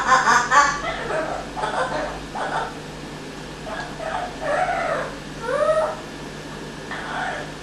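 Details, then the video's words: Pet Amazon parrot that developed an evil laugh during a week in a caretaker's care: a series of short, hoarse, harmonic syllables with rising and falling inflections, spaced irregularly, indoors over a steady low hum. "Parrot with Evil Laugh"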